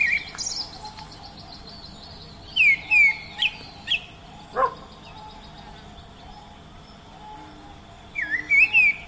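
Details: Wild Oriental magpie-robin song: groups of loud, sweet whistled notes, each swooping downward, given in quick runs separated by pauses of a few seconds, over a steady faint high hum and soft background chirping.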